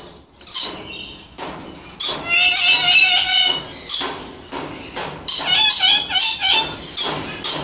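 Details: Loud Moluccan red lories, pure subspecies, uttering harsh, grating screeches, several drawn out and rasping, others clipped and rapid, in an echoing indoor space, with almost continuous calling from about two seconds onward.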